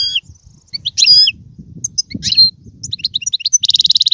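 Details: Goldfinch song in tiwawati, galoubi and serfati styles: scattered high chirps and sliding notes that build into a rapid, evenly pulsed rattling trill at the end, over faint low background hum.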